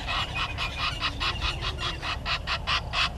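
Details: Morning of 30 January 2020 at Gowrie dam in Sabi Sand Wildtuin, South Africa: a red-billed hornbill at its nest tree repeats hoarse clucking notes in a rhythmic series of about two per second.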